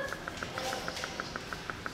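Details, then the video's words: Buster, a buff-crested bustard in the African Savanna section of the Philadelphia Zoo's McNeil Avian Center, gives his frequent call: a steady string of short, dry ticking notes, six or seven per second, with faint people's voices behind. "Buff-crested Bustard (There he goes again)"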